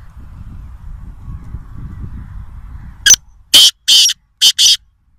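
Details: Black francolin, locally Kaala Teeter, calling at Nawabshah, Pakistan: after three seconds of low rumbling background, a loud harsh phrase of four grating, buzzy notes in quick succession, the last two closely paired.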